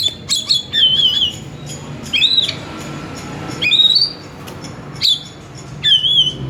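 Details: Oriental magpie-robin (kacer) song meant to draw another kacer into singing: repeated loud wavering whistles and rising notes, each phrase about a second long with brief gaps.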